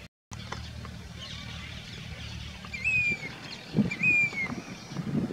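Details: A Grey-bellied cuckoo, a summer migrant in Sikar, Rajasthan, India, sings two clear, plaintive whistled notes, each sliding gently downward, about a second apart, over a low steady rumble and a few soft thumps.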